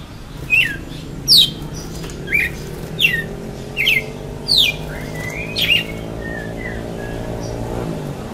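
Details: Red-cowled cardinal singing face to face with a rival: spaced, sharp whistled notes sweeping steeply down, about one each second, over a steady low mechanical hum.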